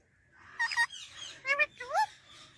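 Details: Male rose-ringed parakeet from Pakistan talking in Urdu or Hindi, producing three voice-like syllables with gliding, speech-like tones, the last rising sharply, over a soft low hum.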